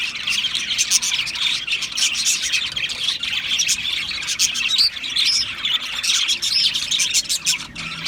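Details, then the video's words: A group of Australian parrots keeps up steady, bright chirping, with quick overlapping tweets and occasional rising whistled notes above the chatter. "Beautiful Australian Parrots Chirping sounds"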